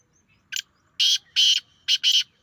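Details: Grey francolin calling: a brief harsh note, then two long, loud, grating notes, a short gap, and a final quick pair, all rasping and high-pitched over a quiet background.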